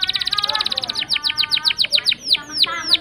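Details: Canary delivering a long rolling lure song for silent canaries. A very fast trill slows into spaced, ringing, downward-slurred notes.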